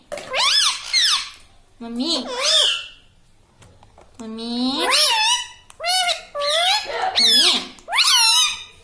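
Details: Pet parrot indoors mimicking human speech, repeating a word like "mami": a series of shrill, wavering, voice-like syllables in separate bursts about half a second to a second long, with short pauses between them.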